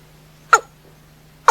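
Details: Watercock at night producing two brief, harsh downslurred notes about one second apart, with a low droning hum behind them.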